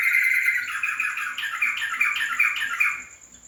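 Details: Yellow-vented bulbul delivering a rapid series of short, liquid chortling notes, slightly descending and fading toward the end, accompanied by a constant high-pitched whine.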